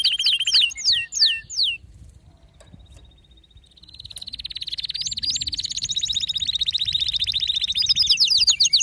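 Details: Excited male canary giving a few falling whistled sweeps, a quiet gap, then a trill that swells into a loud, sustained, rapid rolling phrase.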